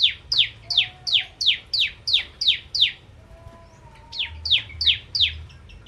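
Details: Bar-winged prinia singing vigorously in a 'ciblek kristal' lure recording: a steady run of bright, sharply falling notes about three per second, a short pause, then the series resumes; faint low whistles underneath.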